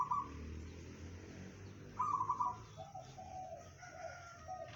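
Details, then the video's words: Local zebra dove (perkutut) singing in the bedah karang style, said to carry 500 metres: a short trilled, bubbling coo phrase near the start, another louder one at two seconds, then softer fragments over low background rumble. "perkutut lokal suara bedah karang tembus 500meter"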